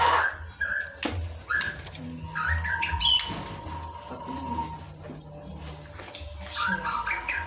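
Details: White-rumped shama song played as a masteran lure to provoke singing practice: varied whistles and a run of rapid, evenly spaced high notes repeated about four times a second, with low background hum.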